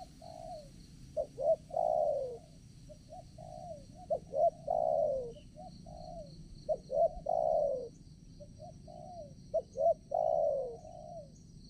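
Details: Caged decoy spotted dove luring wild doves for trapping at a fresh location: repeated cooing phrases of quick double notes ending in a long downward coo, roughly every few seconds, over a continuous high insect drone.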